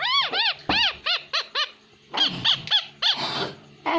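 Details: Talking pet parrot, said to speak Hindi, uttering a quick series of arched, harmonic syllables about every quarter second, then rougher, noisier sounds, with background music faintly present.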